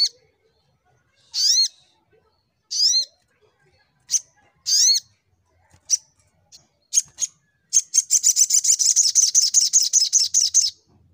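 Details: Little Spiderhunter (sogok ontong) in full fighter mode, singing in the rapid 'nembak' style: sharp, high, down-slurred chirps spaced about a second apart, then short ticks, ending in a fast rattling burst of repeated notes.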